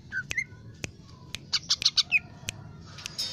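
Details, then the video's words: Lesser green leafbird, kept as a singing bird, in an energetic varied song: short whistled slurs around mid pitch mixed with clustered bright chirps and sharp clicks, notes coming fast and irregularly over a faint low hum. "CUCAK IJO MINI gacor"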